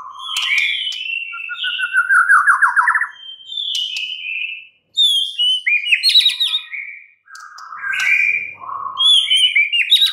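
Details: White-rumped shama (murai batu) in a cage, described as stressed and silent before returning to song; a dense, varied stream of whistles, fast rattling trills and high sharp notes with brief pauses.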